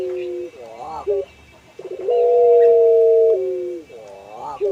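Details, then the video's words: Puter pelung collared dove, ornamental cage bird known for a long melodious call: a short coo, quavering notes, then a long steady coo held over a second before dropping slightly, ending in more wavering notes. "Burung Puter Pelung – Suara Merdu"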